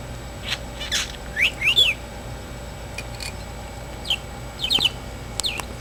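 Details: A very sleepy male pet talking parakeet gives soft, scattered chirps and short warbled notes, bunched in a few quick bursts with pauses between, over a low steady hum.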